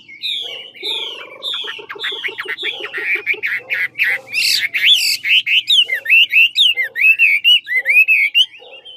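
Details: Large ngũ trường-type Chinese hwamei from Lạng Sơn singing a supple fighting song: rich whistled phrases, first slurred notes falling, then a quick run of short stuttered notes and looping warbles repeated about once per second.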